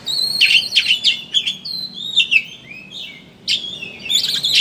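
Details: Chattering 'ngeriwik' song of an oriental magpie-robin, a lure to get other birds singing; jumbled high whistles and scratchy notes, a short lull near the end, then renewed loud chatter.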